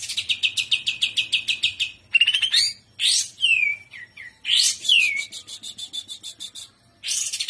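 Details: Greater green leafbird in gacor trotolan song, udang style: a fast pulsed trill, then swooping falling whistles and short slurs, then the trill again before a last sharp note.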